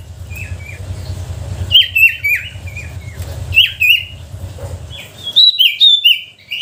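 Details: Sooty-headed bulbul lure song for stirring quiet bulbuls into song: soft scattered whistles at first, then louder bursts of quick, slurred chirps in clusters, over a low background rumble that fades late.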